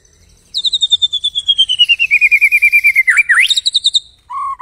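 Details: White-rumped shama master song, used to get other birds singing: a long fast trill of evenly repeated notes slowly descending in pitch, ending in a twisting flourish and a low whistle.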